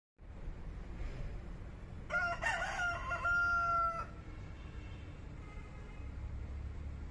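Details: Rooster giving a wake-up crow by a lakeside in Bangalore: after a quiet start, one loud, harsh, drawn-out crow lasting about two seconds, then a low background rumble.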